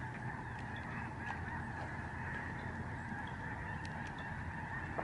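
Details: Lesser Snow Geese in a very large flock flying above the George C. Reifel Migratory Bird Sanctuary, Canada, autumn 2011; unbroken massed honks blend into a roaring chorus with a few sharper single calls standing out.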